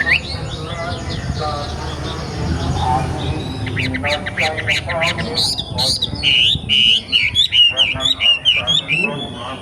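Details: After a noisy start, a young wild wambi breaks into rapid sharp chirps and whistled notes, repeated in an uneven, lively sequence.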